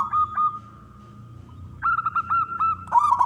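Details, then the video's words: Male local zebra dove song meant to prompt other doves to sing: two short coos, a pause, then a rapid string of bubbling pulsed notes ending in a harsh rattling burst. "perkutut lokal gacor suara jantan"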